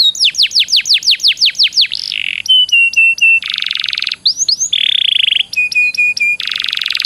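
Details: Canary master song that judges favour: repeated downslurred whistles, a buzzy roll, short sharp chips, dense trills and a pair of rising whistles, all in quick alternating phrases.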